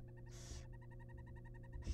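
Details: Inside a wild barn owl nest box as the father delivers prey: a quick, even chittering series of ticking notes, cut once by a short breathy hiss, over a low hum.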